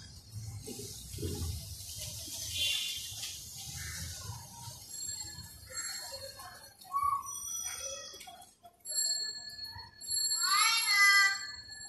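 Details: A talking pet myna gives a varied run of whistles, clicks and harsh speech-like phrases, ending in a quick series of falling, buzzy notes, with faint background hum.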